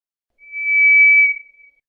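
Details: One long, clean, even whistle from White's thrush, swelling gently then fading, lasting about a second and a quarter.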